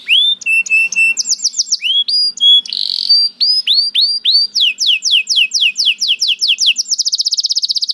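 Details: Varied canary song: upturned whistled notes, brief flat whistles, a buzzy patch, then series of sharp swooping notes that speed up into a dense, fast trill at the close.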